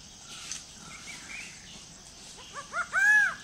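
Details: A greater racket-tailed drongo in forest at Kulen National Park, near a pool where birds come to drink, gives four quick, short, rising nasal notes, then one louder drawn-out arched note, over a faint forest hum.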